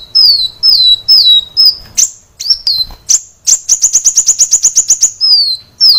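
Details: Kolibri wulung sunbird singing wildly for caged-bird training: high falling whistles, sharp chirps, then a long rapid trill of short high notes, finishing with another long descending whistle.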